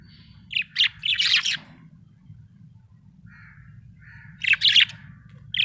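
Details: A happy budgie gives a burst of harsh, buzzy chirps, pauses with a soft low warble, then chirps again in quick scratchy notes over a steady low hum.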